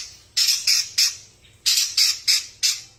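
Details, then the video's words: Long-tailed shrike of fighting quality gives loud, raspy squawking notes in two quick clusters of three to four bursts each, separated by a short pause. "Spek petarung Burung cendet asli gacor"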